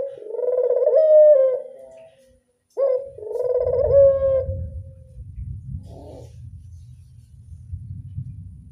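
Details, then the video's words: Local Barbary dove with two mellow, rolling classic-style coos, after which a steady low rumble of background noise takes over. "Angungan burung puter lokal suara klasik"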